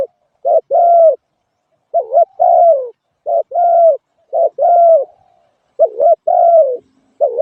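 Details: Spotted dove producing mellow cooing phrases: a rising hiccup note then a drawn-out descending coo, repeated roughly every one and a half seconds with brief breaks.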